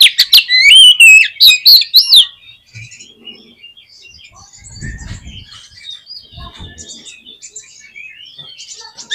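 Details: Oriental magpie-robin song played to provoke a captive bird: a two-second outburst of loud, rich, warbled whistles, followed by soft high chirping from other birds and brief low rustles.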